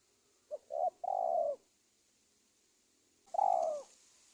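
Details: Spotted dove used as a lure to attract wild doves for trapping, Indonesia: a three-part cooing phrase of short note, rising coo and long descending coo, then a single long coo after a pause.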